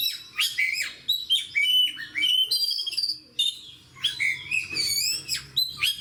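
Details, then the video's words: Singing fighter kacer, an oriental magpie-robin in a cage: loud bright whistles, rising and falling slurs and sharp chips in bursts roughly every half second, energetic and varied, against a quiet background. "SUARA KACER GACOR DAN FIGHTER"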